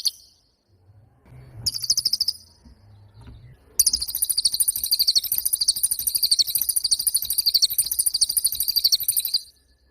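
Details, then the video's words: Pied fantail in lively song: a short high twittering burst, a pause, then a long unbroken run of rapid, high-pitched chattering notes lasting about six seconds before stopping. "SUWARA BURUNG CILILIN GACOR"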